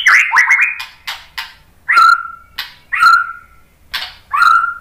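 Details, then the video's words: White-rumped shama singing to stimulate other shamas: quick stuttering notes and clicks, then three loud swooping whistles that drop and level off, about one per second. "suara MURAI BATU Untuk Memancing BUNYI biar ikut GACOR NGEPLONG"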